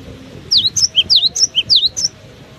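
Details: Cinereous tit singing in strong wind: a quick run of about eight high, sharp whistled notes, slurring down and up in bright alternation, over a low rumble of gusting wind.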